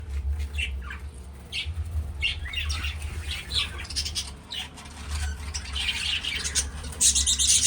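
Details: Breeding budgerigars in captivity: scattered chirps and short squawks rising and falling over several seconds, with brief wing flutters and a steady low mechanical hum underneath.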